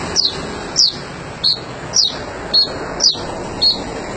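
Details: Sogon bird in full voice, giving brief high downslurred notes about every half second, seven in a row, against constant loud background hiss.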